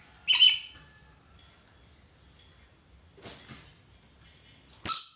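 A red lory gives two loud, harsh screeches about four and a half seconds apart. A thin, steady high whine and a soft murmur sound in between.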